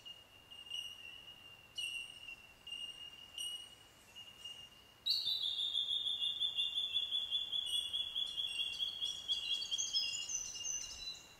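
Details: A colony of Bell Miners along a bush track around Narooma gives clear, high, bell-like tinks, several birds overlapping in a ringing chorus that swells after a few seconds, with a steady background hiss.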